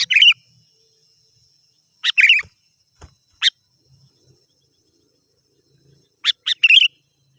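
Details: Sooty-headed bulbul lure sound: clusters of bright bubbling chirps, one or two notes at a time, broken by a sharp click and quiet gaps.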